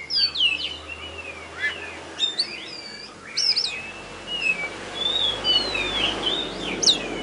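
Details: Oriental magpie-robin, a contest champion singing in Tebas after being hung up: scattered sharp upward and downward whistled strokes and short chirps over a broad hiss of background noise.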